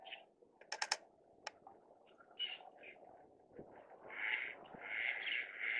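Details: Greater white-fronted geese, a group of six (two adults, four subadults) arrived in Kinmen on southward migration; Sony camera recording. Scattered clicks and short notes give way to loud, repeated, nasal yelping calls over the final two seconds.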